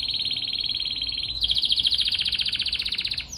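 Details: Canary singing a strong rolling song, used as master song for training other birds: a steady, fast buzzy trill, then a higher rattling trill of rapid repeated notes, with a brief upward note at the end.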